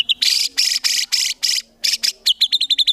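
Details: Vigorous White-rumped shama song in a rapid-fire style, used to train songbirds: harsh buzzy bursts repeated about three times a second, then a run of crisp, sharply falling whistled notes.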